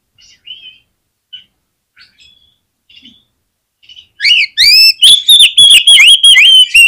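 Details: Singing oriental magpie-robin, played to prompt other magpie-robins to sing; a few quiet whistles give way to a loud, fast series of clear sweeping whistled notes with sharp clicks.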